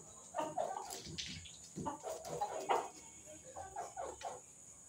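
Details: White Leghorn hens in a fight, heard faintly: scattered short clucks and a few strained, nasal squawks in small clusters, with a steady high-pitched hum behind them.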